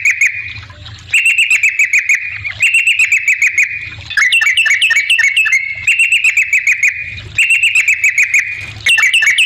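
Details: Yellow-vented bulbul singing eagerly as a lure for other bulbuls to answer; a rapid rattling trill repeats in bursts of about one and a half seconds, with a run of quick bubbly whistles in the middle.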